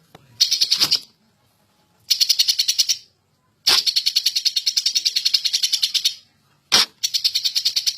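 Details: Greater green leafbird, agitated and singing hard in ngentrok style: loud, rasping rattled bursts of rapid pulses, one long run of about two and a half seconds, separated by short silences.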